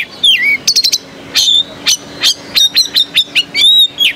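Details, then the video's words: At the 2015 Jakarta Cup bird-singing competition in Indonesia, a caged Oriental magpie-robin gives a swooping whistle, then clipped high notes and short buzzy bursts spaced about a third of a second apart, over a low background hum. "Suara Kacer"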